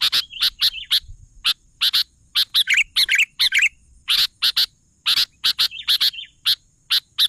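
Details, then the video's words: Active song of a sooty-headed bulbul: a fast stream of crisp chips woven with short, gurgling, whistled flourishes. "suara burung kutilang gacor"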